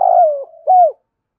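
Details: Spotted dove kept as a lure bird, cooing in the morning to call in wild doves: a long, rolling, trilled coo sliding downward, then a short arched coo, with no other sounds.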